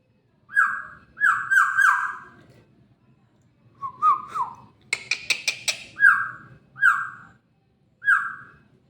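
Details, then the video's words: Black-naped oriole giving rich, fluty downslurred whistles in pairs and triplets, a lower wavering phrase, then a burst of harsh rasping notes before more mellow falling whistles. "Burung Kepodang"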